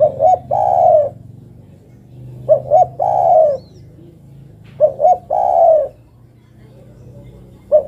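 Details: Female spotted dove calling for the male, repeating her three-note coo three times about two and a half seconds apart, each two short notes and a long falling note; a fourth begins at the end.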